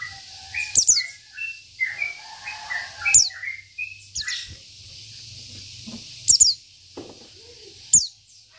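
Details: Local Oriental white-eye from Indonesia, kept as a tutor bird, giving sharp descending high whistles roughly every two to three seconds, with softer warbled notes between; low hum and faint background noise.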